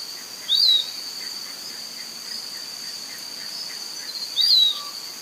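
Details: Piratic flycatcher in Serro, Minas Gerais, Brazil, giving two brief slurred whistled notes, each rising then falling, about four seconds apart, against a constant shrill insect buzz and faint softer chirps.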